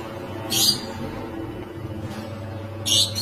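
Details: Caged rainbow lorikeets (Trichoglossus moluccanus) mating: two harsh, grating screeches about two seconds apart over a steady low mechanical hum.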